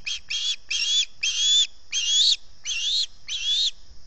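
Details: Early-morning begging from an osprey at the Salt Point nest camera, 11 August 2020, hunger-driven. Seven harsh, whistled squeals in quick succession, each slightly rising, steady and insistent.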